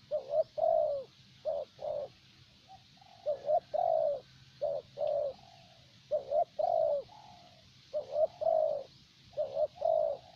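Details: A thổ bầu spotted dove, a decoy bird in Vietnam, coos over and over in rhythmic groups of short double notes and drawn-out falling coos, with quieter sustained tones between groups and a low hum.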